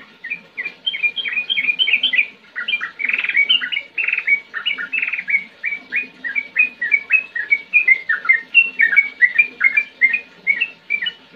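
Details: A sooty-headed bulbul sings in the busy ngetir and ngerol style, a long unbroken stream of quick liquid whistles, rising and falling in short slurs, dense and rhythmic throughout.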